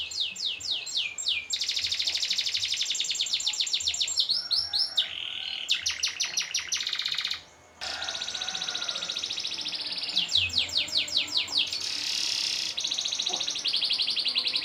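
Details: Extended canary song for contest training, rich in varied trills: downward-sweeping note runs, dense buzzy rolls and rapid chatter, broken by a short silence partway through.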